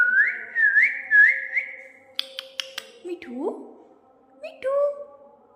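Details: Pet parrot indoors whistling when a person asks it in Hindi to whistle: a run of clear, mid-pitched whistles with quick upward flicks, then sharp clicks and a lower, rising slurred note, with the person's speech nearby.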